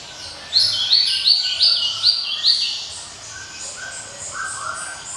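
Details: Java sparrow in ringing song: a rapid string of five or six loud, piercing chirps, then softer, lower warbled notes trailing off.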